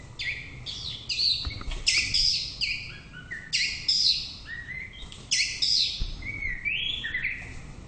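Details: Loud, bright song of a white-rumped shama: repeated bursts of high, fluty and slightly buzzy phrases, about one every second or so, ending with lower rising whistles; little other sound.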